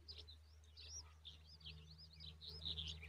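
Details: Several high arched chirps from Common babbler babies in a nest, overlapping and quick, growing slightly louder toward the end, with a constant low electrical-sounding hum underneath.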